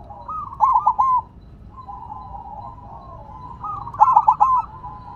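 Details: Silver zebra dove keeps singing despite being set down on the ground: two loud phrases of rapid stuttering notes, with a gentler trilling coo drifting between them.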